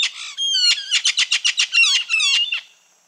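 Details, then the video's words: Red-fan parrot (Deroptyus accipitrinus) gives a rapid series of harsh, nasal squawks, about six a second, mixed with high whistled notes. "Som de Anacã"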